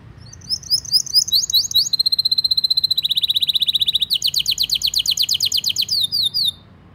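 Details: Canary (Serinus canaria), long vigorous song used as a tutor recording: a fast, high series of tours with chirpy slurred notes, then steady rapid trills and rolling chattering phrases, each section changing pitch and pace.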